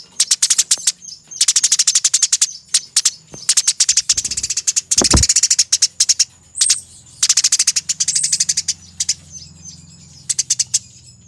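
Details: Eurasian tree sparrow fighting, recorded as a master for training birds: long rolling runs of rapid, tightly packed scratchy chirps broken by short pauses, over a thin constant high tone and brief low thumps midway.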